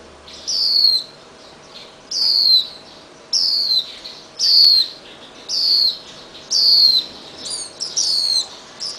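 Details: Freed Swinhoe's white-eye fledgling hopping back and forth on garage beams while parents bring red fruit; clear high descending chirps roughly every 1.2 seconds, closing with a quicker double note.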